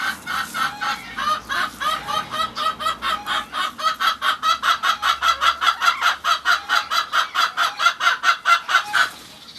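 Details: A Cochin hen greets her breakfast in the morning with a long run of quick, bright clucks, about two per second, rising into a steady rhythmic chatter.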